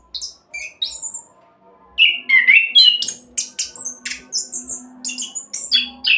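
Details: Orange-headed thrush singing its 'roll' speed song, meant as a lure to prompt other birds to sing: sparse high whistles at first, then a dense burst of sharp, varied chirps and trills, with a low hum behind.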